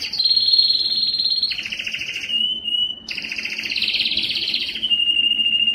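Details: Belgian canary giving its loudest song to attract females for breeding: long buzzy rolling trills that shift pitch, a brief steady whistled note, then another rich rattling trill that ends in a level whistled tone.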